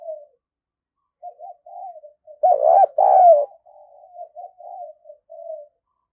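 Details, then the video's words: Decoy spotted dove, very lively, used for luring: soft low coos, then a loud pair of rolling, throaty coos midway, then more quiet hollow cooing notes trailing off. "Chim Cu Gáy Mồi Cực Sung Dùng Kích Bổi Mới"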